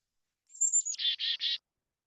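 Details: Black-capped chickadee; alarm call; alarm call warning other birds about predators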